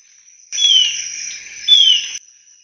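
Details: Alagoas Antwren song: two clear, high whistled notes slide downward about a second apart within a burst of dense sound, with a steady thin high-pitched hum throughout.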